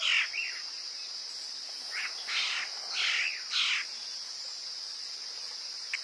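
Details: Woodpecker call played as a lure: a short series of five harsh, buzzy notes, each about a third of a second, loosely spaced over four seconds, above a steady high-pitched insect drone.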